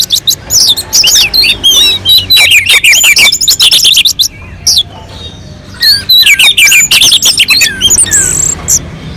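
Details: Melodious orange-headed thrush from a mountain slope, singing steadily as a lure for other birds: dense volleys of high chirps and looping whistles in rapid bursts, separated by short pauses.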